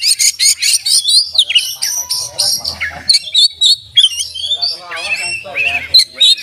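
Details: Kacer, the oriental magpie-robin, in full voice with isian mimicry: a rapid medley of bright chirps, rising and falling whistles and scratchy notes, changing every fraction of a second, with a quiet low rumble beneath.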